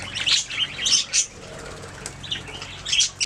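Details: Pet budgerigars giving short scratchy chirps in quick bursts, with a quieter pause in the middle before more harsh chirping at the end.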